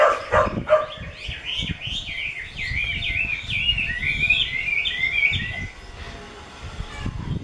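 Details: Chinese hwamei of the 'mơ' type, owned by a bird artisan: a quick burst of chattery notes, then a run of rolling, looping whistles that wave up and down for about four seconds and fade out.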